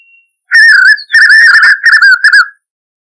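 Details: Spot-backed puffbird singing in the caatinga: loud, clear whistled notes near one pitch, delivered in four slurred bursts over about two seconds, some phrases wavering or dipping slightly at the end.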